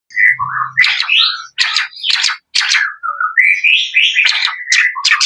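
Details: Male white-rumped shama singing a varied, loud phrase of whistled notes and harsh buzzy bursts, rising and falling, with brief pauses between segments.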